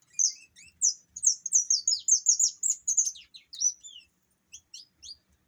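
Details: Saffron finch of the opaline variety giving a quick run of high, slurred descending notes that speed up into a tight sequence, then trail off into a few scattered chirps.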